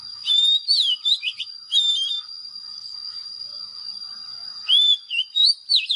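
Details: Oriental magpie-robin giving short bursts of clear whistled and slurred notes separated by quiet gaps, over a constant thin high-pitched whine.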